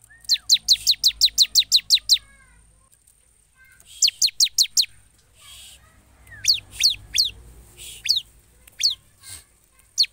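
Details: Energetic bar-winged prinia song, a fast string of about nine downward-sweeping high chirps, then shorter bursts of three to five notes separated by pauses, with faint low rumbling noise and brief hissy bursts behind.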